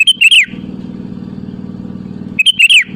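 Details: Sooty-headed bulbul calling rivals, meant as a lure: two loud, rapid, slurred whistle phrases at either end of a stretch of low steady hum.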